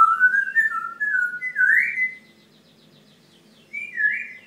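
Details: A pet grey parrot indoors gives a two-second run of slurred, wavering whistles climbing in pitch, then after a pause a shorter rising whistle, over a faint indoor hum; owner says it warns them when it is about to poop.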